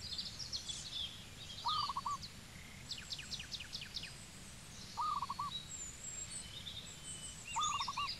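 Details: Cambodian zebra dove repeating a brief trilled coo three times, roughly every three seconds, over a busy background of high chirps and clicking notes from other birds.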